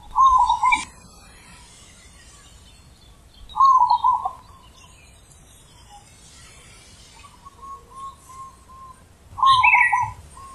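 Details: Zebra dove giving deep, large 'ulem' style perched song: three rolling, bubbling coo phrases spaced several seconds apart, softer trilled notes between them, calm outdoor setting.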